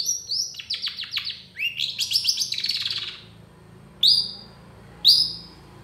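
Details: Long-tailed shrike in a packed song: a fast series of repeated high ticking notes leading into a dense buzzy warble, then a pause and two loud clear upward-slurred whistles about a second apart.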